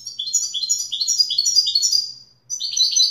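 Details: A European goldfinch sings a Wedani-style phrase of bright, rapidly stepping whistled notes. After a short break it starts another fast twitter.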